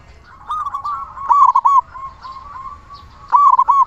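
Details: Big-voiced local zebra dove in steady song, used to trigger singing in other zebra doves. Quiet cooing leads into two loud phrases of clipped, rolling coos about two seconds apart.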